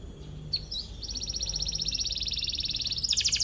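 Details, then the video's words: Atlantic canary in full song, chirping in search of a rival and used as a lure to train young canaries; a few short chirps, then a long, fast, buzzy, high trill with a brighter rolling phrase at the end. "KENARI GACOR CUIT CUIT MENCARI LAWAN BIKIN EMOSI"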